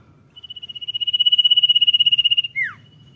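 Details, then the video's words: Common iora (cipow) singing actively in the 'dor nyiul' style: a high, rapid pulsed trill swelling steadily in loudness for about two seconds, then a sharp, quick downslurred whistle; quiet low background hum. "CIPOW GACOR DOR NYIUL MANTUL"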